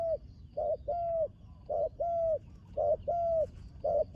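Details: Spotted dove, a young bird brought to the dirt competition ground for the first time, repeating mellow coos in pairs, a clipped note then a longer level one, nearly once a second against a soft rumbling background.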